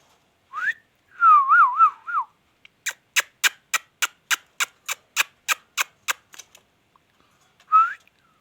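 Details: Talking Indian ringneck parakeet whistling a rising note and then a quick wavering trill, followed by a long run of regular sharp clicks and one final rising whistle.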